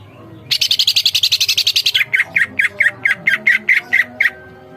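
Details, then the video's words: Greater green leafbird singing hard in a training recording: a rapid, harsh chattering series of about fifteen notes, then around ten loud, clear whistled notes spaced about a quarter second apart. "masteran cucak ijo gacor"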